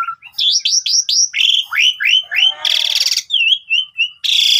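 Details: Asian pied starling in full song, for luring other starlings: a run of rising looped chirps, then descending slurred notes, a loud harsh buzzing burst, soft trailing whistles and a final rasping note.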